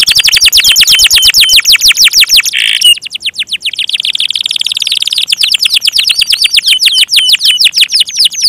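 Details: Lively gacor canary delivering fast rattling trills of high downward-sweeping notes, broken by a short harsh burst, then a long quicker trill.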